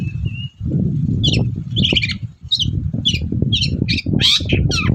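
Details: Long-tailed shrike singing actively in the morning, used as a lure to make other shrikes answer: a brief thin whistle, then scattered short harsh chattering notes, closing with a louder rasping burst, over steady low rumbling background noise.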